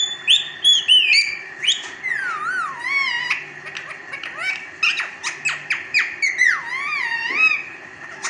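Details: Indian ringneck parakeet, a talking pet parrot indoors, produces a mix of whistled glides, squeaky chatter and mimicked speech-like phrases with rising and falling notes, delivered in quick bursts.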